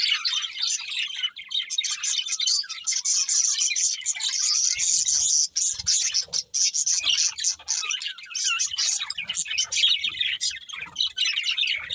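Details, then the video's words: Several budgerigars singing happily while eating: a dense, continuous warbling chatter of scratchy twitters and squeaky chirps, high-pitched and unbroken for the full length, with soft low taps and clicks scattered through the middle and end. "Happy Budgies Singing and Eating | Love Birds Chirping Sounds"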